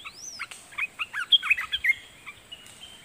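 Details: Decoy red-whiskered bulbul singing at wild birds: a high arching whistle, then about ten quick, clipped chirped notes in a jaunty run, ending in a thin faint tone.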